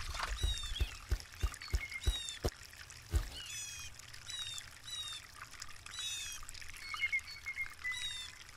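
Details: Blue jay calling in a series of harsh, ringing notes rich in overtones. Several low thumps come at the start, with a constant watery hiss throughout.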